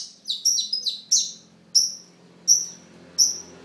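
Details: Long-tailed shrike song opens with a quick run of high chirps, then settles into single sharp, bright notes repeated about every three-quarters of a second over a quiet low hum.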